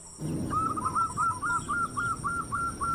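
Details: Local zebra dove, a lure recording meant to stimulate other doves to sing, giving a steady run of about ten short, clipped cooing notes at an even pace over low background hum.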